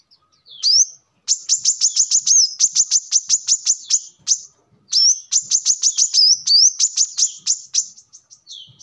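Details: Brown-throated sunbird song for luring or training: an opening rising whistle, then long rapid trains of sharp high chips with occasional upslurred notes, briefly interrupted by a pause.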